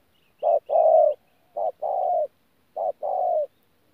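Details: Low cooing of a 'bổi' spotted dove in 'thổ pha gù' style, recorded 14 January 2019 at Tu Mơ Rông. Three phrases, each a brief hoot leading into a longer coo, with the later ones slightly softer. Faint high chirps sound near the start.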